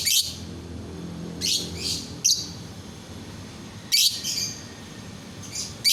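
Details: Lovebird singing, used to set other lovebirds singing: harsh, buzzy high chirps in short bursts, a few clustered near the start, then more spaced through the rest, with a faint low hum underneath.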